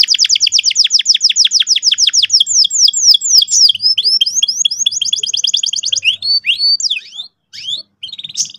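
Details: Canary song meant to make young birds roll: loud rapid descending chirps merge into a continuous high rolling trill, then scattered swept notes with short pauses near the end.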